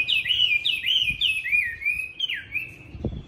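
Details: Caged Chinese hwamei from Hanoi, Vietnam, a tame bird valued for fighting, sings loud, high, rolling phrases, each a quick slurred warble repeated about three times a second, with faint low wind rumble beneath.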